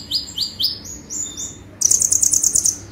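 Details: Konin sunbird: several quick rising high chirps and thin whistles, followed by a rapid, dense, very high trill to the end.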